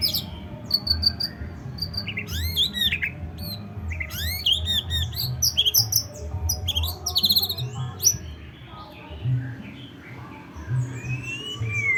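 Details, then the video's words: White-rumped shama in a rich, varied song: rapid series of loud whistled upward sweeps and clipped notes, later softer slurred whistles, with constant low-pitched background rumble. "Muraibatu f3"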